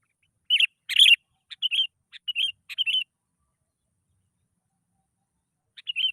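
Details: Sooty-headed bulbul song played to coax other bulbuls into singing, short bright chirpy phrases in quick clusters over about three seconds, then silence and one final phrase.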